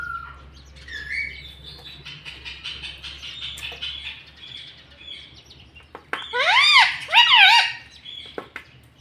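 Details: Pet parrot taught to talk, saying words such as mummy, papa and mitthu; soft, scratchy murmured sounds first, then two loud harmonic, wavering calls near the end, with a low hum beneath.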